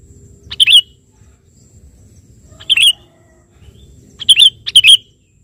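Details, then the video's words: Vocal sooty-headed bulbul calling out to a rival: brief chirpy warbled phrases with a clicking start, two spaced about two seconds apart, then a quick double phrase near the end; soft low hum behind. "suara burung KUTILANG GACOR memanggil lawan"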